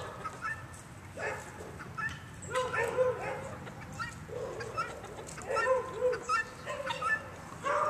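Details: Chickens clucking, a run of short, nasal, rising and falling calls in quick bursts, mixed with sharp clicks and taps.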